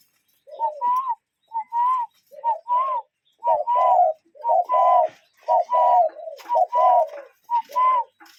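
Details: Wild cuckoos repeat low doubled hoots roughly every second. Another bird overlaps with higher fluting notes, and the calls grow busier toward the end.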